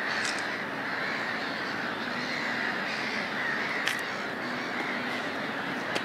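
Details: Black-headed gulls nesting at Lahti harbour fill the air with a steady din of harsh, grating calls from many birds at once, with a few sharper clicks standing out.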